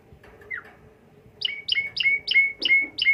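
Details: Asian pied starling sound used as a lure to excite the bird: a single slurred whistle, then a rapid run of six identical high, downslurred whistled notes repeated about three times per second.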